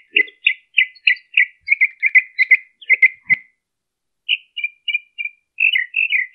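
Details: Northern mockingbird song, Colton, California, 2015-03-23: a fast stream of varied chirps and buzzy notes, a click and a second of silence, then short chips and a jumbled warbled ending.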